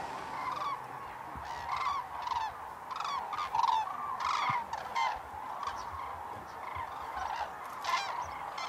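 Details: Common cranes in April 2009 at Hornborgasjön, Sweden, during their dance display: loud, separate honking trumpet calls in quick irregular succession, several birds answering one another over a softer background chorus.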